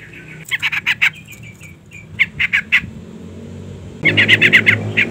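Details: Female yellow-vented bulbul calling to draw a male into song: several short bursts of rapid, rasping chatter with a brief whistled note between them, against background noise that grows louder near the end.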